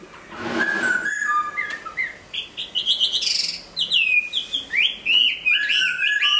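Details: Hwamei song during moult: mixed whistled phrases, short repeated notes and quick slurs building into a dense, lively run of varied bright whistles.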